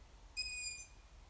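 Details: Juvenile long-eared owl giving a single high, thin, squeaky whistle lasting about half a second, steady in pitch and then easing slightly downward, rich in overtones, against a quiet background.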